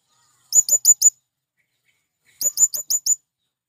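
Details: Calling male blue-crowned hanging parrot, used to lure wild birds: two fast runs of piercing high chirps, four then five notes, separated by a pause of over a second against silence.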